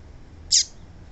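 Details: A single quick, high-pitched chirp from a female papa-capim (double-collared seedeater), a call used to warm up males and get them singing, heard against quiet background hiss.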